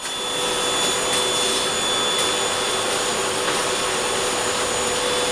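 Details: Indoor vacuum-cleaner-like whir with a steady high whine and faint rubbing, with no clear animal calls heard.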